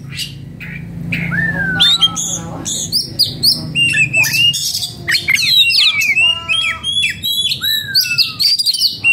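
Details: {'caption': 'Agitated oriental magpie-robin in breeding condition pours out a fast jumble of whistles, harsh scratchy notes and long down-slurred whistles, after a quieter opening with a low hum underneath.'}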